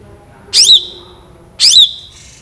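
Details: Long-tailed shrike in energetic full song for a training recording: two harsh, rasping notes a second apart, each ending in a drawn-out, slightly falling whistle.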